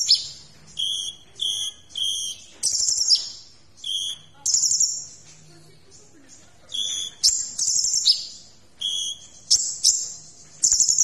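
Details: Kolibri ninja sunbird in full song for tutoring other birds: clusters of high, sharp twitters and short buzzy trills, spaced by quieter pauses of about a second, sometimes pausing longer mid-sequence.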